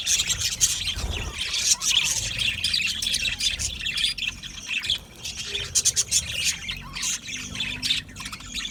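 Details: Budgerigars in an aviary colony, Australian parrots, chirping and singing together: dense overlapping chatter of buzzy, scratchy notes and short squawks, continuous throughout with bursts of sharp clicks.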